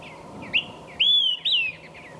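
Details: Olive-sided Flycatcher singing from the top of a tree in white fir forest on a ridge near Mount San Jacinto, Southern California: its loud, innate, whistled 'quick-three-beers', a short clipped note then two longer slurred whistles, the last rising then falling; quiet background.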